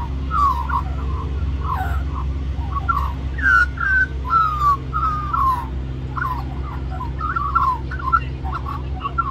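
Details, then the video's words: Magpie singing throughout a lunchtime visit, wanting more mango, Cirillo Reserve, New South Wales, Australia; varied warbling with fluty downslurred whistles in the middle and chattering notes, low hum continuous. "Magpie Sings For More Mango"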